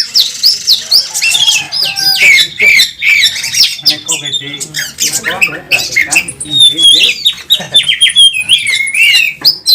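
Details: Champion Oriental magpie-robin fighting for the lead on a contest track with a full repertoire; loud, varied whistles swooping up and down, interleaved with harsh squawks and clicks, phrases tumbling over one another.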